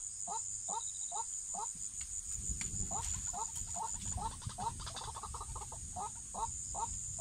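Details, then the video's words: Trapped-for waterhen repeating short clucking notes, pausing briefly midway while rumbling low noise swells, then resuming faster; a thin high beeping and a constant whine run throughout. "Waterhen ดักนกกวัก cuab qaib deg"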